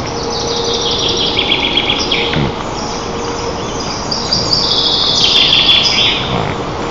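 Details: White-tailed eagle eaglets and parents at a nest in Lower Kama National Park, Tatarstan, during a breakfast feeding on June 25, 2024: thin, high chirps and peeps in quick, uneven runs of about four a second, over a steady low electrical hum.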